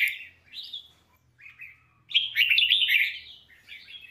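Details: Red-whiskered bulbul song used for training: a short whistle, a few quiet notes, then a loud, tumbling, liquid warble lasting over a second and a softer trailing phrase.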